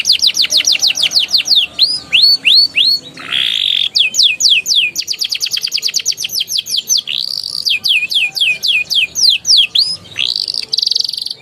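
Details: Canary song used to prompt young canaries to sing: steady series of downward-sweeping whistled notes, roughly three per second, broken by rasping buzzy rolls and fast high trills.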